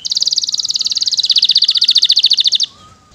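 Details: Canary in rich 'isian mewah' song, delivering one fast, even, rattling trill of about forty beats in under three seconds, high and bright, that stops abruptly.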